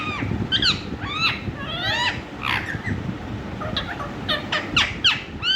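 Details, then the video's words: Indian ringneck parrot talking: rapid sequence of sharp, arching, speech-like whistled syllables, some rising and some falling, tumbling quickly one after another over steady low room noise. "Ringneck talking parrot"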